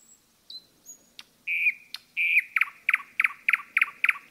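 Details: Nightingale singing in the forest: a thin high whistle, two long level piping notes, then a rapid series of about ten loud, evenly spaced chirps.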